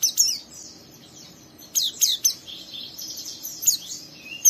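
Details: A young Oriental white-eye sings roughly, giving thin, high twittering chirps and rapid downslurred notes in bursts, with a continuous high warbling chatter between them.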